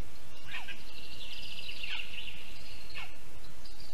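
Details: Lesser spotted eagle (Clanga pomarina) at a nest in a spruce, Zemgale, Latvia, mid-morning, 3 July 2022, during feeding with a large rodent brought in: a thin, high, drawn-out whistle over two seconds, opening and closing with quick downward-slurred notes; light background noise.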